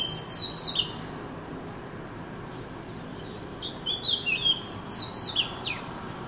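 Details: Oriental magpie-robin, described as sad looking and slow to start singing, gives two bursts of high, sweet whistled song phrases with quick rising and falling notes, separated by a pause of about three seconds, over faint background hum.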